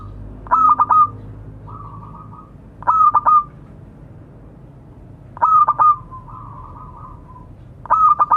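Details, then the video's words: Local zebra dove calling to others: repeated bursts of three fast clipped coos running into a short purring trill, roughly every two and a half seconds, separated by softer fluttering tones. "Suara burung perkutut memanggil kawan."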